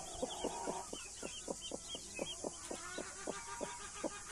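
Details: Blue mother hen with her baby chicks, Australorp and Brahma: a rapid series of short clucks about four per second, with faint high peeping of chicks in the background and steady hiss.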